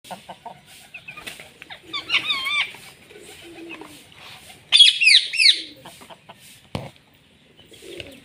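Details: Indian ringneck parakeet talking, saying "Mitthu": two bursts of high, wavering, warbled syllables about three seconds apart, with soft clicks and rustling in the quiet gaps between them.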